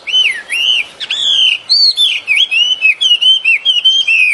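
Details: Bird song outdoors: loud, fluid whistled phrases that loop and curl, with rising and falling slurs strung closely together and a brief click near the one-second mark.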